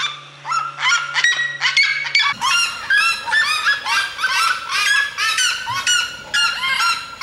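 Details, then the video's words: Red-legged seriema from Mato Grosso singing: after a few sharp opening notes, a loud run of harsh, yelping cackles rings out about twice per second, each note rich in overtones and slightly rising, in a quiet rural setting. "O canto da Seriema do Mato Grosso"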